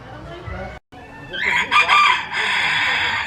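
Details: Rooster crow rising into a loud, harsh, harmonic-rich call that holds level for over a second, preceded by a dull low rumble and a brief cut to silence.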